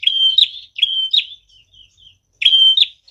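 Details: Energetic prinia song used to lure birds: three loud phrases of a level piercing whistle that ends in an abrupt upswept flick, separated by faint high chirps.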